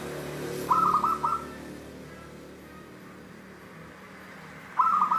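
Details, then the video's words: Local wild zebra dove (perkutut lokal alam), its voice called the "Cristal tembus" style: a short bubbling run of rapid, even coos, then a long quiet gap before another rolling phrase starts at the end. "suara perkutut lokal Cristal tembus"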